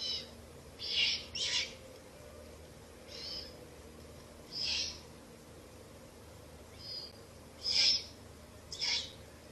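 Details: In a ruin at night, owlets being fed rabbit by their mother, late April into 1 May 2024, make short rasping bursts, some paired closely, others spaced a few seconds apart, over low steady hum.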